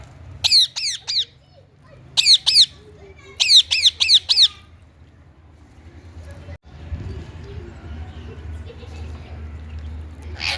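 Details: Indian ringneck parrot giving shrill, harsh screeching squawks in rapid bursts of three to five, three bursts over the first half, followed by low rumbling background noise and a final faint high squeak.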